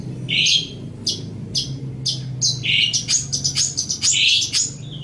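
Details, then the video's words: Long-tailed shrike (cendet or pentet) song used as a master recording for training other songbirds: a varied, chattering run of scratchy notes and short high whistles, densely delivered with brief buzzy bursts; a low steady hum underneath. "Ocehan Suara Burung Cendet/ Pentet"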